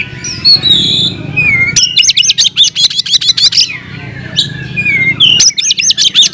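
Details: Oriental magpie-robin (kacer) singing in full fighting mode with its fill-in phrases: soft whistled notes, then a loud burst of rapid, evenly repeated sharp chips, a falling whistle, and another quick chip burst.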